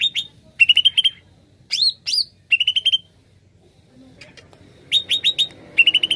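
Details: Energetic greater green leafbird song for luring birds: clipped repeated whistled notes in quick groups of four or five, interrupted by two loud rising swoops, with a gap of near silence midway.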